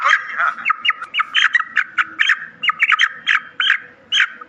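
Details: Calls of black francolin, used to excite the birds quickly. Short, rasping, squawky notes come in quick uneven runs, some in pairs or triplets, against a quiet background hum.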